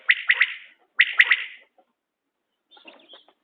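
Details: Two crisp three-pulse calls of a common quail, tied to quail hunting, follow one another closely. A faint, scratchy, lower call comes after a pause.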